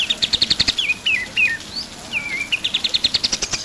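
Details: Pied triller in vigorous song, used to tutor songbirds: short bursts of rapid high trilling frame several drawn-out whistles that waver and slur downward.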